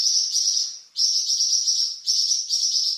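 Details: A kept Flamboyan bird gives varied song serving as master for cucak ijo and magpie robin: loud, nearly continuous high buzzy trilling broken by two brief dips.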